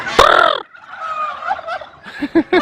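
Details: Domestic turkeys in a large bird cage at Lake View Park, Islamabad, Pakistan, calling out together in response to a man's voice: a loud rolling gobble chorus, then short lower clucks, with a crowd's background noise.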